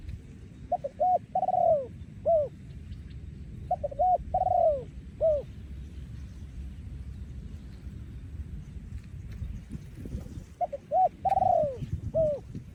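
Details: Thai breeding male spotted dove, 2023, in yon khu ang style: groups of short low coos followed by a longer drawn coo, repeated in bursts with pauses of several seconds between, over a low background rumble.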